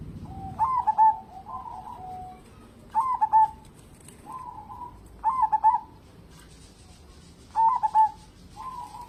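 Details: Active local zebra dove song serving as a lure to encourage other birds to sing: four regular phrases roughly every 2.3 seconds, each a burst of rapid pulsed coos followed by a softer trailing coo, over faint hiss.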